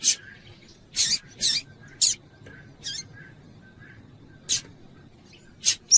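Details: Female double-collared seedeater calling persistently to stir a male to sing: loud, sharp chip notes in irregular bursts, several in quick pairs, separated by quiet gaps with a low steady hum behind.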